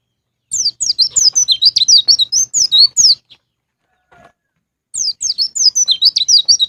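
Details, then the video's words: White-eye song of the loud 'ngalas ngeplong' style, played as a lure to prompt caged birds to sing: rapid, very high twittering of sweeping chirps for about two and a half seconds, a short pause, then another fast burst. "PANCINGAN BURUNG PLECI NGALAS NGEPLONG"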